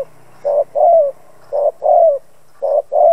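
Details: Spotted dove used as a decoy to provoke other doves to call. It gives steady low cooing in paired notes, a short coo followed by a longer slurred one, repeated three times without pause.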